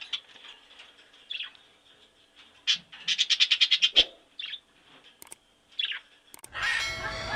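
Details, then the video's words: Titmouse calling: scattered thin high chirps, then a rapid run of about ten sharp, evenly spaced notes, followed by a few more chirps. The clip ends in a burst of broad noise. "Animal World, Animal Sounds: Titmouse"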